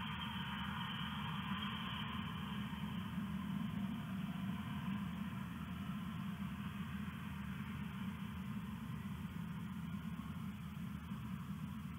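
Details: Only a steady low mechanical hum with a constant hiss runs throughout, and no animal calls are heard.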